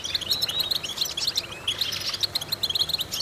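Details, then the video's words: European goldfinch, kept bird, used in vocal training exercises to stimulate goldfinches, singing a fast twittering song of bright chirps and trills, dense and continuous with rapid notes repeating throughout. "important vocal exercises necessary to stimulate goldfinches"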